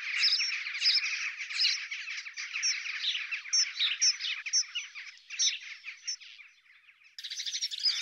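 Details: European robin during courtship, a scratchy, dense stream of high, thin notes and brief trills, almost unbroken, pausing briefly before a final burst.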